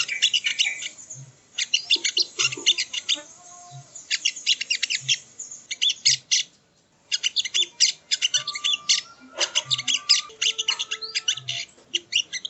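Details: Sogon, or sogo ontong, in training audio: long sequences of fast, shrill chattering notes broken by short pauses, with occasional thinner whistled tones and soft low knocks at regular intervals.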